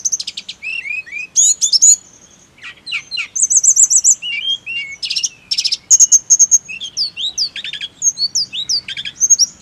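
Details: Lively snowy-browed flycatcher song aimed at getting birds to sing nonstop. Varied high whistles, buzzy trills and slurred chips run on almost without a break, about two or three notes each second.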